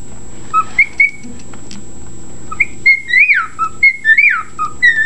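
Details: Caged pet bird producing scattered whistles, quiet at first, then a burst of rising and falling swoops and held notes in the second half. A steady hum sits underneath.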